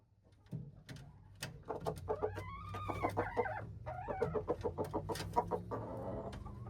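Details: Red junglefowl, recorded March 2, 2025, gives a run of arched, harmonic-rich notes that rise and fall. Scattered clicking clucks and steady background noise run underneath.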